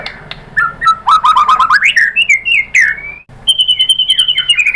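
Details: White-rumped shama lure song, meant to make another shama answer and sing busily: a fast run of short chirps at the start, then a rising series of clear whistled notes and long sliding whistles, ending in quick high rolling phrases.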